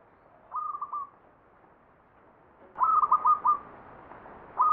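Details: Perkutut (zebra dove) ngepat-style song, Mataram pakem, Jogja: a short two-note coo, a pause, then a louder full phrase of about five rolling notes, and another phrase starting at the end.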